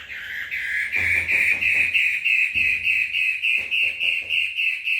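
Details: Female long-tailed shrike in full, energetic song, a rapid string of rasping, buzzy notes at an even pitch, repeated about three times a second, with low thumping handling knocks in the background.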